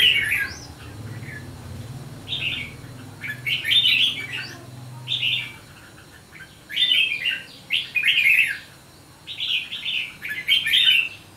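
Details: Hòa Bình Red-whiskered bulbul at five days gives spaced bursts of lively warbling, each phrase a quick cluster of sweet, rolling notes separated by short silences, over a low background hum.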